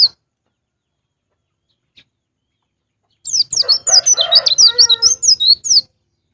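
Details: A wild white-eye (pleci) bursts into about two and a half seconds of rapid, high, jumbled twittering with slurred whistled notes after near silence, with fainter lower warbling underneath.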